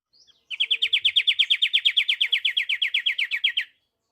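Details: Pied triller singing a rapid, even trill of about twenty slurred notes, roughly six per second, high and steady in pitch, lasting about three seconds in otherwise quiet surroundings.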